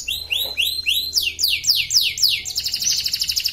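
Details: Competition canary from Pontianak, West Kalimantan, kept in a cage and fed millet: a series of high, arching whistled sweeps, about four per second, gradually turning into steeper downslurs, then a dense rattling trill.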